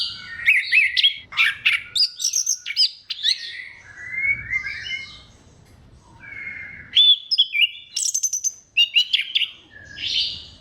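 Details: Orange-headed thrush delivering a varied song to stimulate other thrushes: rapid mixed phrases of high whistles, buzzes and trills, with brief pauses between bursts and a soft low rumble in places.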